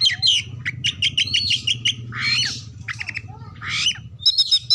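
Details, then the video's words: Oriental magpie-robin song used as a lure to set other birds singing: bright whistled and squawky phrases, runs of quick repeated chips and harsh rasping notes, over a steady low hum. "pancingan Kacer terbaru 2022 ampuh langsung nyaut gacor buka ekor"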